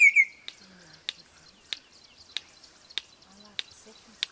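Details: Red-crested korhaan in Kruger Park, South Africa, giving a very loud simple song: a brief high whistle, then sharp dry clicks repeated about every 0.6 seconds in steady rhythm against a quiet background.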